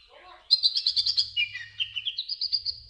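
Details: Sunbird song beginning with a soft murmur, then a loud run of rapid high chirps followed by slurred descending notes and a final string of evenly spaced bright tweets.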